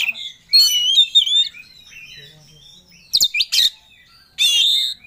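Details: Oriental magpie-robin in 'ngobra' mode, singing with full emotion as it seeks a rival: a long sweet warbled run of varied whistles, then a gap, then clipped harsh notes and a final loud ringing phrase.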